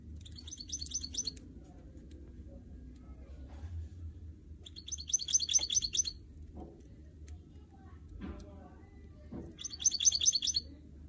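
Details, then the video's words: Goldfinch mule, canary crossed with goldfinch, giving three short bursts of high, rapid twittering song about four seconds apart, over steady low room hum and faint scattered clicks. "Motivating a goldfinch mule and song birds"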